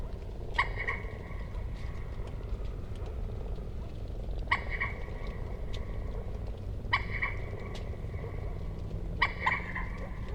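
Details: Common moorhen calling with four brief, harsh, clipped notes, each trailing into a short buzzy drawl, spaced roughly two to three seconds apart against constant low-pitched background rumble.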